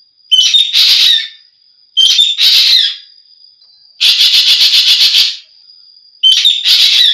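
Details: Green magpie calling with harsh grating notes, then a long pulsed chatter of about ten rapid beats, then more rasping calls. A thin steady high tone persists throughout.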